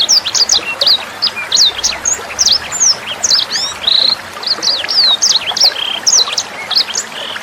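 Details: Sanger bird singing continuously in a lively, high-pitched twitter of short sweeping whistles and clipped chirps, delivered in quick clusters over gentle flowing water; used as a master recording for caged songbirds.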